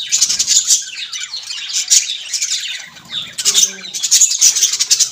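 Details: Budgerigars, Australian parrots, chattering in a dense, continuous stream of high chirps, squeaks and warbled notes, with brief sharper tweets throughout and a short low buzzy sound near the middle.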